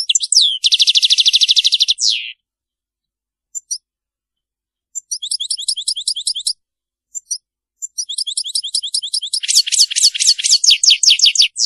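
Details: European goldfinch giving a Maliki-style song without faults: a loud buzzy rattle, a pause, then bursts of repeated ringing double notes that speed into a rich, rapid, tinkling trill.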